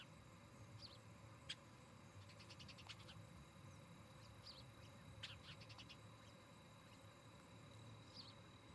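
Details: Osprey pair at a Charlo, Montana nest, recorded by nest camera on 17 August 2018 in the evening; rapid strings of short high chirps alternate with single squeaks, accompanied by a constant low hum.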